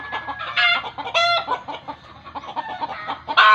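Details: Chickens clucking in a low, busy chatter, broken by two loud, nasal squawks and a final harsh burst. Rural lore holds that this kind of cry means the birds have seen a ghost.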